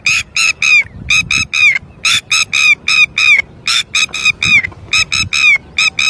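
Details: Red-wattled lapwing calling persistently after losing its chick: loud, harsh, nasal notes in quick bursts of two to four, each burst ending with a slurred downward note, repeated steadily with short gaps, over faint low background hum.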